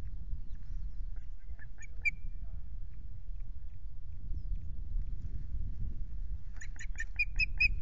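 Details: Ospreys at a nest at Loch Garten on 5 June with a chick present: a cluster of sharp, repeated whistled chirps near the end, a few fainter chirps earlier, all over steady low wind rumble.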